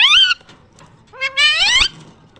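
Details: Parrot talking: two loud, clear, harmonic vocal phrases, the first short and slightly falling, the second longer and rising steadily in pitch, separated by a pause.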